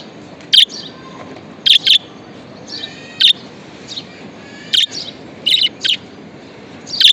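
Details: Pet budgie giving scattered sharp chirps, some single and some doubled, with quieter warbling chatter in the gaps.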